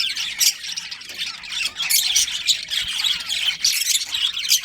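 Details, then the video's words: Many budgerigars of a breeding colony chirp and squawk together in an unbroken, busy chatter, louder peaks every half second or so. "Cute Budgies Chirping Sounds"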